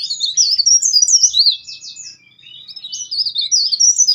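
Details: Dense leaf warbler song with loud whistled rolls, offered as master material to train songbirds: fast high warbled and zigzagging notes, a short buzzy rattle near the middle, a brief lull, then renewed rapid twittering, with clean quiet surroundings.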